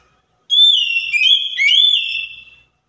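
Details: An Oriental magpie-robin sings to provoke a silent bird into responding: one long, loud, clear whistle, held level, then dipping and swelling again with sweeping slurs before fading out.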